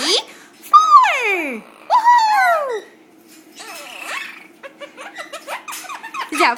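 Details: Two female pet Quaker parrots kept indoors after counting to four: long, loud, falling whistled sweeps and then a stream of quick, choppy, laugh-like chatter, with a woman's voice nearby.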